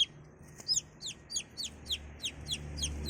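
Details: Young chicken calling with quick, shrill downward-sliding peeps, roughly three each second and softening toward the end, over a low rumbling background.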